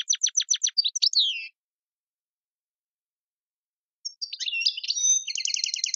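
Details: Tiwawati song of an Algerian goldfinch: a series of sharp repeated clicks, a twittering flourish, silence, then rolling chirps ending in a rapid buzzy trill.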